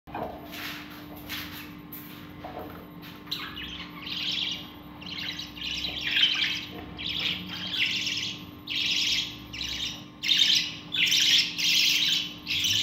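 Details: A budgerigar parent feeding its babies; the chicks give harsh, raspy chirps in quick rhythmic bursts, begging to be fed.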